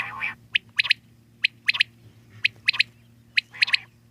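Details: Wild common quail giving short, sharp, clipped notes in repeated phrases: a single note followed by a quick pair, about every second, over a steady low electrical hum.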